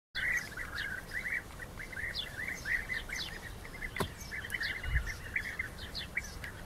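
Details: European bee-eaters during rival fights give a steady stream of short, rolling, liquid calls, several birds overlapping, with higher thin chirps above and low background noise.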